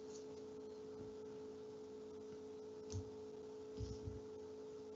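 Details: Quiet indoor room tone with a steady electrical hum and a few soft ticks and thumps.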